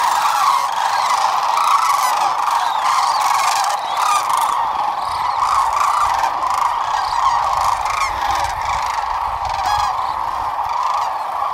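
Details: Roughly 12,000 sandhill cranes massed at Whitewater Draw on February 19, 2021, calling together in a continuous rolling chorus of trumpeting notes, with scattered sharper crackling sounds layered over it.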